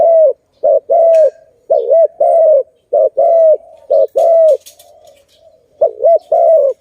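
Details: Zebra dove calling loudly during bird trapping, alternating quick short coos and longer falling notes in groups, one brief pause midway, with faint high twittering behind.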